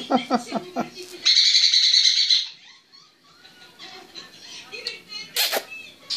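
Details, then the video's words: Captive grey parrot in a relaxed mood giving a burst of rapid clicks, a sustained buzzy high trill for over a second, then softer whistles and a sharp crack. "Pietro il cenerino : relax. Peter The African grey : relax"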